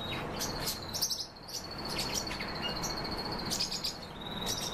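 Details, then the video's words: A pet great tit gives short, sharp, high chirps in irregular bursts over a steady high insect-like trill and a soft background rumble. "Большая синица"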